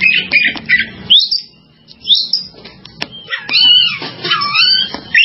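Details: Oriental magpie-robin singing a varied run of loud whistled and chattering phrases, some sweeping up and down, broken by a short pause and then a rich, fluty jumble; a low steady hum runs underneath.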